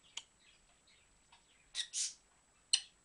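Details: Kissy noises from a dancing pet dusky-headed conure: a quick click, then a loud smacking pair near the middle and one final sharp smack, separated by soft faint murmurs in a quiet indoor setting.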